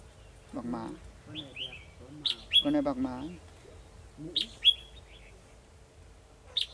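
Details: Red-whiskered bulbul used as a decoy, singing to lure a rival into a trap, recorded 2 December 2020: short bright whistled phrases and quick chirps, interleaved with men talking and a steady low hum.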